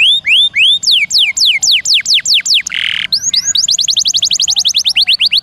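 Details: Canary singing long rolls and varied bursts, recorded as master material for training songbirds. Arched whistles and steep falling slurs lead to a short harsh buzz, then a fast, tight trill of high strokes.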